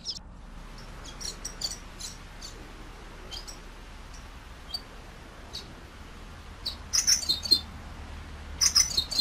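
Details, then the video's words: Common waxbill song: faint, high chirps at first, then louder bursts of rapid, buzzy, high notes near the end. "Canto del Pico de Coral Común"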